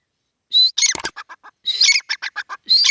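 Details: ['Grey francolin calling: a sharp high whistled note, then a loud harsh burst and a quick run of short clipped notes, with the phrase starting again after about a second.']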